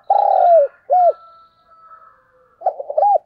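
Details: Decoy coo of a spotted dove for drawing in wild doves. A long buzzy coo falls away at its close and is followed by a short rounded coo. After a quiet pause, stuttered notes begin the next phrase.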